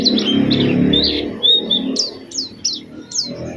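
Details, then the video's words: Oriental white-eye lure song to draw other white-eyes into singing: a few separated high whistles, first level, then several sharp downslurred notes repeated about four times a second, over a faint low murmur. "Pancingan Burung Pleci Gacor Cengkok Istimewa"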